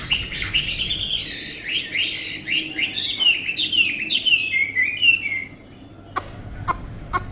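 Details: Chinese hwamei, a tame bird with a lovely voice, pours out fast varied whistled phrases with quick up-and-down slurs for five seconds, followed by sparse clicks and a high whistle.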